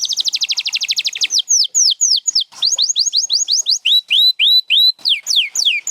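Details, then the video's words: Champion canary singing: a fast, dense high trill, then a measured series of loud downslurred whistles, followed by rising whistles repeated about twice a second and more falling notes. "7 Days to a Singing Canary"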